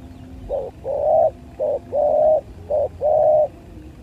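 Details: Fighting spotted doves recorded in 2023 give low, hollow coos in pairs, a short note followed by a longer, drawn-out one, repeated three times in four seconds against quiet background noise.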